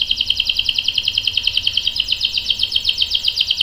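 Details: Canary; rolling song; used as a master song to train young canaries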